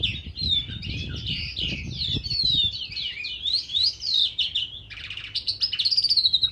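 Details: Outdoor-aviary crested lark, February 2019, delivering clear whistled slurs and rising and falling notes in quick succession. It ends in a louder run of rapid high pulses, with faint low rumbling early on.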